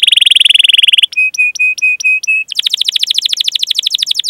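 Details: Training song of a canary meant to lure young canaries into singing: a fast buzzing roll, then a string of short level whistles, followed by a quick series of sharp descending chips.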